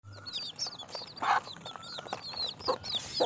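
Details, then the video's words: Baby chicks peeping: a busy overlapping chorus of high, short downward-sweeping cheeps, with a few louder broadband bursts. "Cute Baby Chicken Sounds"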